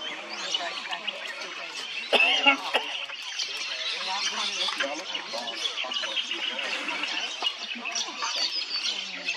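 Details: Rainbow lorikeets at Burrum Heads, Queensland, fill the air with dense, overlapping harsh screeches and rapid chattering calls from many birds at once, with a brief louder burst near the second mark.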